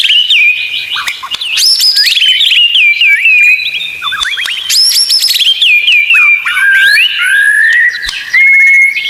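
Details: Song of a white-rumped shama played as a tutor recording for kept songbirds, a long, loud run of varied whistles, sharp upswept notes and rapid chattering trills, with brief breaks between bursts.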